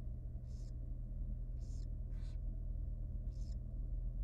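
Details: At feeding time, a wild barn owl nestling, still tiny, gives four evenly spaced, noisy hissing rasps roughly a second apart against a steady low hum.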